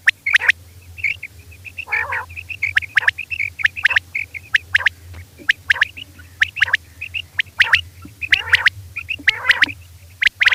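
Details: Female quail at night: a busy run of sharp, high clicking chips and short thin whistles, broken by a couple of nasal harmonic notes; steady low hum behind.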